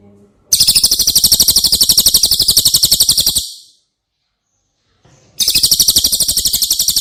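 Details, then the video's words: High, fast trilled song of the cililin, used as training audio for caged White-rumped shamas: close-set piercing pulses run for about three seconds, fade off, and after roughly two seconds of silence the trill resumes. "Masteran CILILIN"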